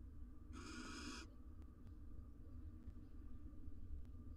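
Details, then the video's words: Courting wild barn owls, male and female, beside four nestlings in a nest box watched for research in Israel: one short, hoarse hissing shriek early on, then low hum and scattered faint clicks. "Male and female barn owl court next to their 4 nestlings"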